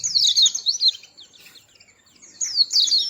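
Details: Small white-eye with a melodious voice uttering two brief bursts of high, fast twittering separated by a near-silent pause.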